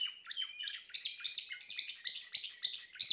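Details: Timbrado canary singing loud, evenly pulsed rolling notes, about four per second, with warbling pitch shifts throughout.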